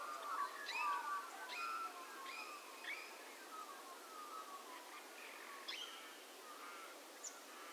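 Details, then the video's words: Australian magpies at Minimay in a conservation reserve, recorded in January: soft, distant warbled and fluting notes in mid-pitched phrases, some rising or falling, over a hissy background. "Magpies at Minimay"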